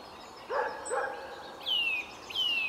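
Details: Male Eurasian nuthatch singing beside a feeding female and following her, in Samara, Russia, on 13 April 2019. Two clear whistled notes slide downward, each about a third of a second long, after two lower, harsh, harmonic calls.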